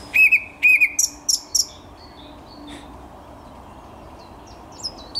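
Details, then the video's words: Thrush nightingale song recorded on 10 May 2021: a few loud whistled notes and sharp clicking strokes in the first second and a half, then a long pause broken only by faint high notes near the end. "Słowik Szary"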